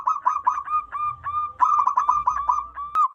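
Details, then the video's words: Local wild zebra dove, loud and clear, suited to luring wild zebra doves: continuous bouncing coos about four per second, ringing and slightly hooked, with a low hum underneath and a sharp click near the end. "PERKUTUT LOKAL ALAM GACOR SUARA BESAR DAN LANTANG COCOK BUAT PIKAT BURUNG PERKUTUT"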